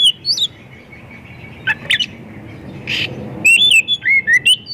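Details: White-rumped shama singing as a lure for other shamas, with a few scattered chips and a harsh burst, then a fast run of clear whistled and slurred notes in the final second and a half.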